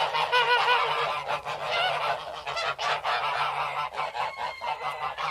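A flock of geese honking loudly, with overlapping nasal, harmonic calls tumbling over one another about three times a second, and a low steady hum beneath.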